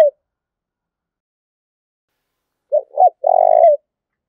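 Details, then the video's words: Spotted dove giving a fight-provoking coo after about two and a half seconds of quiet: two short low notes and a drawn-out trilling purr. A brief note is cut off at the start. "Tiếng chim cu gáy thúc đấu"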